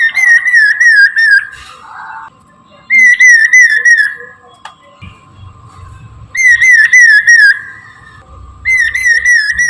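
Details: Chinese hwamei in morning song, used to draw in and trap birds: four bursts of fast, warbling whistled notes, each about one to two seconds long, with quiet gaps between and a constant faint hum underneath.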